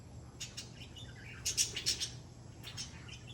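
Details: Pet African Grey parrot (Psittacus erithacus) asking to be scratched makes soft, high chirps and clicks, with a quick burst of four or five in the middle, in a quiet room; Grey parrot.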